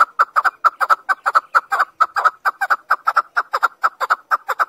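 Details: Chukar partridge calling, a rapid series of harsh clucking chuck notes repeated a little over twice a second, steady and loud with no other sounds.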